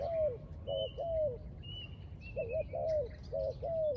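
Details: Spotted dove cooing beside a bird trap, its hoarse, slightly descending coos coming in pairs and runs, while a thin, drawn-out high whistle from another bird sounds repeatedly over steady background noise.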